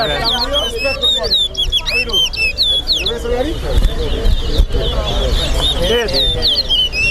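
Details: Chestnut-bellied seed finch (towa towa) at a Lusignan, Guyana singing competition: quick chains of high whistled and looping notes, strongest early, with a crowd of voices underneath.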